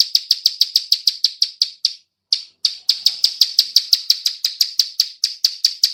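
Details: Clicking call of a female bar-winged prinia, used as a lure for other birds: sharp, evenly spaced ticks repeated about four times a second, broken by one brief gap, clean with no other sounds.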